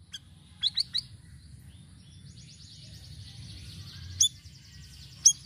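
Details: Sirisiri in full song, with varied sounds used as a lure: sharp, high chips in short bursts, with a thin buzzy trill held for over a second in the middle, over a low background hum.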